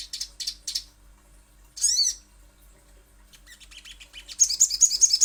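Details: Sogok ontong, the little spiderhunter, giving a few short high chips, then a single arched, ringing squeaky note, scattered faint ticks, and finally a rapid shrill chattering run building in loudness.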